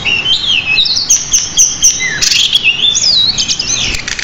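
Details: Pied bushchat singing nonstop for song-training, packed with many imitations. A tangle of looping, sweeping whistles runs almost without break, broken once by a short harsh burst.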